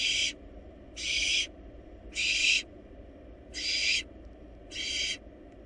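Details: Rasping, noisy screeches from wild barn owl chicks in a nest box as they swallow a large rabbit: five broadband hisses of about half a second, with gaps of roughly one second.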